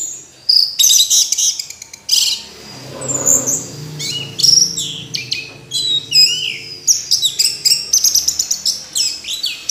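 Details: Orange-headed thrush in vigorous song, rapid series of sharp high notes, thin whistles and slurred phrases, nearly continuous with brief gaps; faint low hum underneath.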